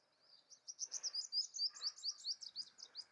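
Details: A male purple sunbird sings to attract a mate: a fast run of high, thin, sibilant chirps, about a dozen notes in three seconds.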